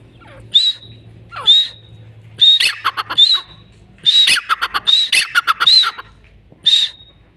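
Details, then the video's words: A grey francolin, or teetar, gives loud shrill call phrases in uneven bursts, each starting with clipped squeaky notes and ending in a high rising whistle. Pauses between phrases vary, and a faint low hum lies underneath. "teeter ki awaaz | teeter awaz | Irani teetar | grey francolin voice"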